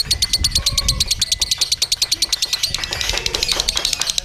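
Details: Lovebird ngekek during a song contest: rapid, regular high chattering pulses with a piercing whistled edge, blurring into a denser rattle near the end, with other birds faintly behind.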